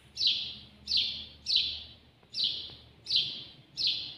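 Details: House sparrow (al-jawj) at close range repeating a harsh downslurred chirp six times in about four seconds, steady and clear over a faint hum.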